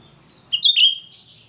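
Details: Shrill, piercing phrase from an untrained cucak rante singing steadily, used to lure other birds: quick sharp notes sliding into a loud sustained whistle that fades into a faint buzzy trail.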